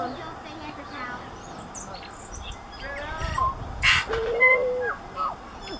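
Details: A tūī sings near Huka Falls by the Waikato River, New Zealand, on 27 March 2016, a varied jumble of fluty, bell-like notes, slurred whistles and harsh wheezy bursts over a steady rushing background.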